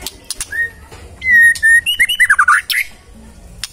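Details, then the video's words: Magpie-robin (murai) in energetic song: clear steady whistles on one pitch, then a fast run of rising and falling notes ending in a high buzzy flourish. "Murai Nyaut Gacor"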